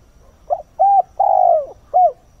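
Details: Decoy spotted dove calling at first light to attract wild doves, giving one phrase of four low coos, the third long and sliding downward, the last short and clipped.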